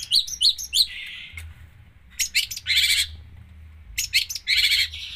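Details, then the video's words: Long-tailed shrike in full isian song: quick upslurred chirps, a buzzy note, then loud harsh rasping bursts and sharp chips separated by brief pauses, over a low background hum. "cendet gacor full isian"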